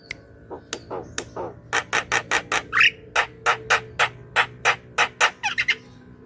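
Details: Javan myna singing gacor, a recording meant as a lure and to get silent birds singing: steady train of harsh scratchy bursts about every quarter second, broken by one rising whistled squeal, with a faint background hum.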